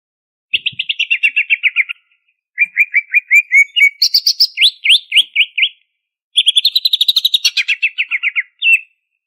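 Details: Greater green leafbird from Banyuwangi in full, energetic song: three bursts of fast, rolling repeated notes, each lasting about two seconds, the middle phrase shifting from lower chips to higher slurred whistles, with brief silent pauses between.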